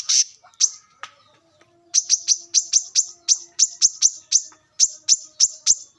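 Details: Wild brown-throated sunbird song recorded for use as a lure: sharp, high chipping notes repeated in quick bursts of about three per second, each a bright downward flick, with brief gaps between runs.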